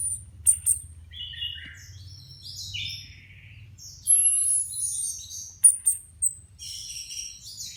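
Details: Four Orange-headed Thrushes in cages with new post-moult feathers, tested together before returning to contest training; irregular whistled and warbled phrases at mid-high pitch, punctuated by sharp clicks and a drawn-out very high whistle.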